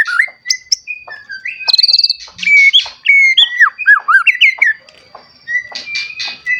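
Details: Lure white-rumped shama singing to provoke young and adult shamas, mixing clear sustained whistles with looping slurred notes and scratchy buzzy bits, ending in scattered harsh notes.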